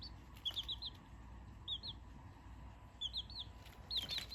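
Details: Chick's cute peeping before going to sleep, 7 November 2024: high whistled peeps in quick runs of three or four, each arched or rising, with pauses between bursts, over a low background hum.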